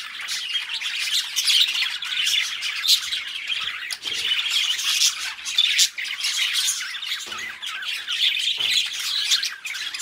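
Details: Budgerigar pair keeping up a busy, buzzy warble of squeaks and chirps, broken by a few short soft knocks. The bright chatter runs unbroken throughout.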